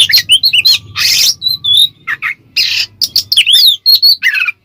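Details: Ngeplong-style song of an Oriental magpie-robin meant to fire up other kacer birds: bright upslurred whistles alternate with broad harsh rasps, sweeping descending whistled phrases and short chattering notes, loud and varied.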